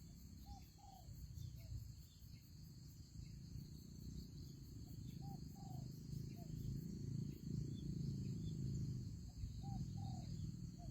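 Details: Spotted dove used as a ground-placed lure bird in a fighting trap. It gives soft, low, hollow cooing notes in groups of about three, repeated every four to five seconds, over a steady low rumble and faint high insect hiss.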